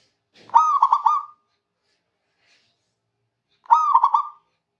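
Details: Two repeated coo phrases from a local zebra dove in Indonesia calling rivals, each opening with a clear tone then rapid pulsed notes, spaced roughly three seconds apart, a light rustle before the first.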